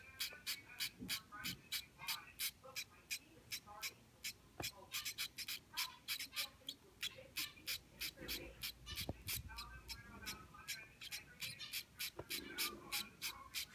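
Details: Zebra finch babies, two chicks four and three days old, begging as they are hand-fed: a long run of sharp, wheezy high chirps in fairly steady rhythm, a few faint clicks and murmured voices underneath.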